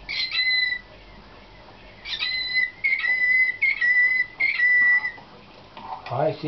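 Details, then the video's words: A nightingale-type song canary in 2013 competition training sings long, pure whistled notes held level at a steady pitch, in several bursts with short pauses, ending in a brief lower rustling sound. "CANAR SLAVUJAR PUI"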